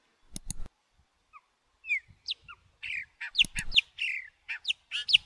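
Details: Chopi blackbird singing with its chicks: two sharp clicks, then bursts of short clear whistled and slurred notes, some rising and others falling, delivered in quick irregular phrases.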